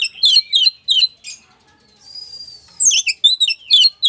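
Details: Oriental magpie-robin of the West Javan type in song meant to agitate rival magpie-robins: quick high chirped phrases repeated about three times a second, a sustained thin whistle midway, then renewed rapid chatter.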